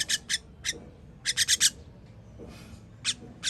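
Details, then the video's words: Baby birds being fed, recorded 21.06.23, with scattered harsh rasping notes and one clustered run of four, separated by a quiet stretch. "Baby bird baby bird feeding"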